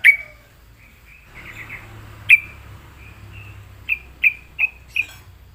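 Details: Sooty-headed bulbul answering a lure: a loud opening chirp, a soft wavering warble, then a series of crisp evenly spaced chirps over a low hum.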